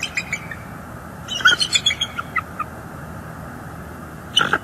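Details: Bald eagle near a northeast Florida nest, 18 December 2022, during the chasing off of juveniles: a few scattered high notes, then a descending run of piping chitters, and a brief squeal at the end.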